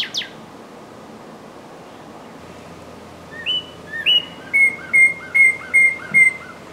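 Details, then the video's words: A Northern cardinal sings in spring, a distinctive song that carries far: a run of about eight loud, clear slurred whistles, two or so each second, the later notes steady and slightly falling, over a quiet background. "Cardinal Bird Calling Sound"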